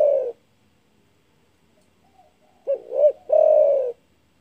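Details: Loud spotted dove calling to stir up rivals: a trailing long coo, two seconds of quiet, then a fresh phrase of two short coos and an extended, gently falling coo.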